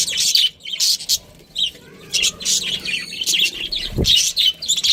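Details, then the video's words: Pet budgies chirp at home in lively scratchy, warbling bursts of high notes, with one soft low thump partway through. "cute budgie chirping sounds"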